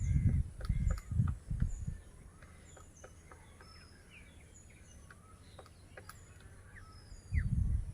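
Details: Grey woodpecker excavating a nest for laying eggs in a big siris branch, Kazirgaon-Kheterpara village, Munshiganj district, breeding season, partner sitting close; rapid uneven knocks, about two per second, over faint high bird chirps and bursts of low rumbling.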